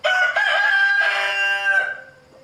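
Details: A rooster harassing a mother hen and her chicks gives a loud crowing call of about two seconds, rich in harmonics, in several joined phrases that hold a steady pitch before a falling close.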